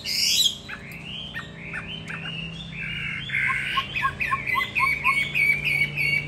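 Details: Hwamei trained for fighting, caged indoors upstairs: a loud opening note, then a string of slurred whistles broken by short harsh squawk-like sounds, and a fast series of clipped downward notes repeated about three times a second.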